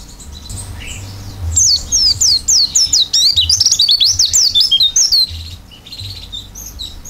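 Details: Energetic oriental white-eye singing open-beaked in gacor isian style. A burst of quick, high, wavering whistles runs for about four seconds, around two or three notes a second, then tails off into quieter scattered chirps.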